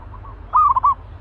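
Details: Fierce zebra dove in a cage, prepared for decoy training, utters one quick run of four or five bright, tremulous coos, preceded by fainter soft notes and backed by a low steady rumble.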